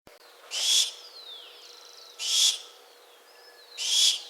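Barn owl giving three harsh, hissing screeches, each under half a second, spaced about every one and a half seconds, with faint high whistles between them.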